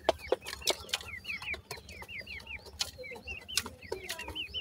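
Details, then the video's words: Grey francolin chicks make shrill, hooked peeps that rise briefly then fall, about one every half second in loose series, mixed with loud broadband clicks and knocks. "grey francolin bird wonderfull chicks,bhura teetar chicks hot voice"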